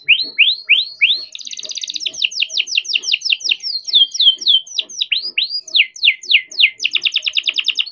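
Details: Young canary, captive-bred, delivering long rolling song used as a lure for learning or silent canaries; rising swoops, then a fast buzzy trill, a run of sharp falling whistles and swoops, closing with another rapid trill.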